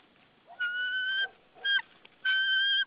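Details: White-tailed eagle at its nest in Saunja, Estonia, on 22 March 2013 around 14:08, calling while its mate arrives busy with a stick; three loud, clear, steady whistled notes, the first and last drawn out, over faint background hiss.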